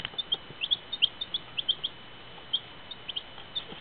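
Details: Baby chicks peeping: short high chirps, often slightly falling, in quick irregular bursts of several birds, over a steady faint hum.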